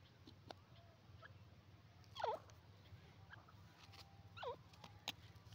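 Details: Francolin (teetar, Sindhi partridge) playing in the soil, giving two soft, short, looping notes that dip then rise, about two seconds apart, over a steady low hum and faint clicks.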